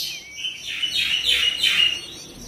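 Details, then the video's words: Magpie-robin singing in a therapy recording for quick response and tail opening: a thin descending whistle followed by three or four rough, buzzy warbled phrases, moderately quiet against background hiss. "TERAPI KACER CEPAT RESPON GACOR BUKA EKOR"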